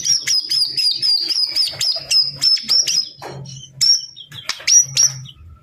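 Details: White-rumped shama, murai batu, delivering a long high whistled phrase broken by regular sharp clicking notes, then shorter high whistles, with a low hum in the background.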